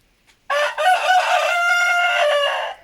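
A Sussex rooster gives one loud, harsh crow lasting about two seconds, held steady and then fading abruptly at the end.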